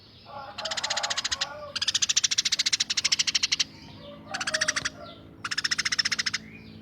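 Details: Tame Eurasian tree sparrow gives harsh rapid-fire chattering: four rattling bursts of fast even ticks, the longest about two seconds, with softer chirps between them.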